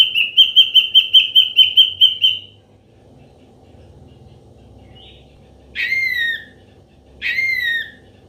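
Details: Ashy drongo song used as a trapping lure: a fast run of about ten clear whistled notes at an even pitch, then a pause and two loud downslurred whistles a second and a half apart.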